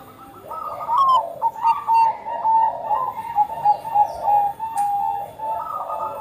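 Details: Bangkok-type zebra dove, a vigorous singer whose song serves as a lure to prompt other zebra doves to start singing: a steady run of mellow, clear cooing notes in quick rolling pulses, with faint chirps of small birds behind.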